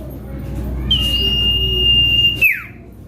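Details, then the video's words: Common iora song played as a lure to draw rival birds: a single long, steady whistle held for about a second and a half, ending in a sharp falling slur. "Bongkar Isian Cipoh Kacat | Cipeuw Gacor Pikat Lawan"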